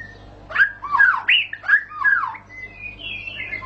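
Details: White-rumped shama (murai batu) giving harsh, squawky slurred notes in quick succession, followed by a thin, drawn-out rising whistle. The sound is said to make shamas start singing (ngentrok).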